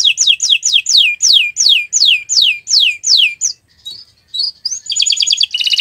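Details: Canary giving gacoran song on a Friday morning: about a dozen loud, falling whistled sweeps in steady rhythm, a brief pause with soft twitters, then a fast buzzy trill.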